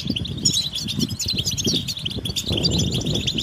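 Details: European goldfinches in a group chorus of mating and readiness calls used to prompt males to sing; busy high tinkling twitters run continuously over low rustling and fluttering sounds.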